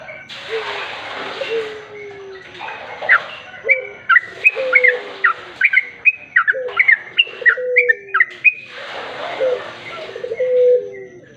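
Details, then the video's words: Sooty-headed bulbul song serving as a lure to draw in other bulbuls: a long chattering string of crisp whistled notes, many sharply downslurred, with a hissing noise and low cooing calls from other birds at start and end. "Pancingan burung trucuk"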